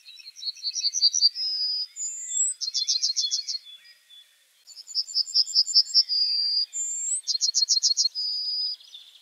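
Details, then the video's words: Yellowhammer singing: high, rapid runs of repeated chipping notes, each run closing on a drawn-out whistled note, one of them higher-pitched. The phrase pattern is given twice, separated by a short pause, with no other clear sounds. "30:50 - Yellowhammer"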